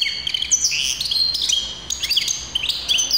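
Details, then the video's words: Hybrid canary recorded in 2023 singing a varied, high whistled phrase: long clear held tones mixed with quick chirps and short trills, shifting pitch from note to note, with no other clear sounds around it. "تغريد هجين التفاحي"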